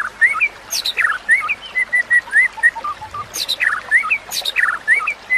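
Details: White-rumped shama song for training other birds: repeated mid-pitched whistled notes mixed with loud harsh chattering bursts and high thin squeaks, fast and busy.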